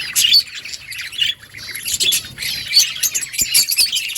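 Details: Budgies chirp and squawk in short, harsh bursts of high warbling, with brief lulls around one and a half seconds and strong bursts near two and three seconds.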